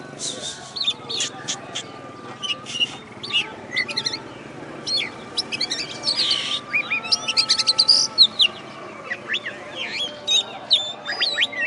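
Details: Caged oriental magpie-robin, first-place contest champion from West Kalimantan, after the contest, pours out a long, energetic song of sharp chips, rapid trills and looping whistles, over a faint steady background hum.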